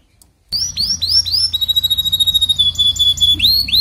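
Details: Canary song used as a model for a weak singer: after brief silence, rising whistled chirps, a long thin steady whistle with a soft rapid pulse, and closing upswept notes over a low hum.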